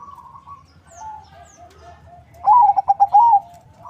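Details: A melodious lure-bird zebra dove, crossbred from local and Bangkok lines, answers soft distant cooing with one loud phrase of rapid pulsed notes and a closing drawn-out coo.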